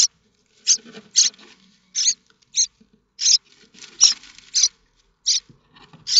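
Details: Begging of common starling nestlings at Théding, France, recorded 7 May 2024 as chicks wait for food from parents: irregular harsh hissing rasps, about one every second, with faint lower rustling between bursts.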